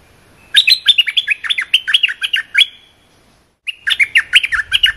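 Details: Cream-vented bulbul singing a short training song for young birds: a long run of quick, evenly spaced bubbling notes, a pause, then the phrase starts again.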